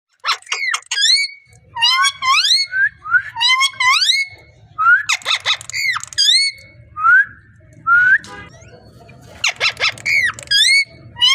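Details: Parrot vocalising indoors: a busy run of harsh, harmonic squawks and arched nasal notes mixed with clear rising whistles, in bursts with short pauses, over a low background hum.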